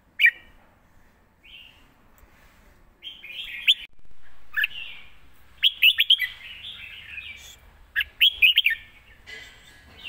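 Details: Caged red-whiskered bulbul, performed live in the Thai style praised as quick-chopping 'rik' with fine phrasing: short bright warbled phrases with sharp rising-falling notes, bursts separated by brief pauses.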